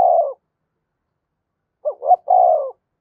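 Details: Spotted dove calling to provoke other doves: the tail of one low coo, a pause, then a full phrase of two quick clipped notes followed by a drawn-out mellow coo.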